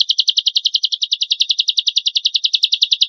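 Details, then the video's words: Champion lovebird in full song, harsh 'tembakan kasar' burst material meant to draw other lovebirds into singing: a fast, very regular high-pitched rattling trill of sharp repeated notes that continues without pause. "PANCINGAN AMPUH LOVEBIRD GACOR FULL ISIAN MASTERAN KOMPILASI MATERI TEMBAKAN KASAR BURUNG JUARA"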